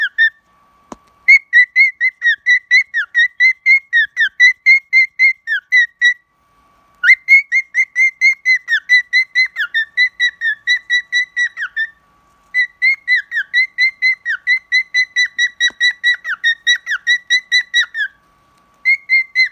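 A cockatiel sings long runs of clear, rapid whistled notes with short pauses between phrases.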